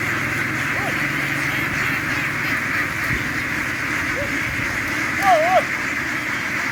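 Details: Farm ducks crowd ashore to board a boat. A constant droning hum from the flock underlies a few distinct quacks, including a wavering double quack near the end.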